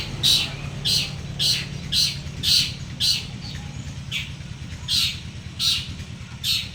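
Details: Long-tailed shrikes, two champions of local Madura and Bojonegoro stock placed together, deliver a steady series of grating, squawky rasps roughly every 0.6 seconds, over a faint low hum.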